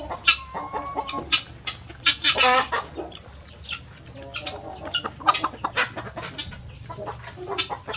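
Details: Free-ranging chickens rushing out of their opened coop in the morning, giving a busy flock chorus of sharp squawks and clucks in rapid overlapping bursts, some with brief rising whistled notes.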